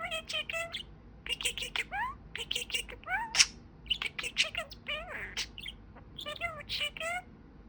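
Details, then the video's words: Pet budgerigar, a talking parakeet, chattering in quick bursts of harmonic, speech-like syllables with rising and falling sweeps and sharp clicks, pausing briefly between phrases; quiet indoor background. "Talking Parakeet"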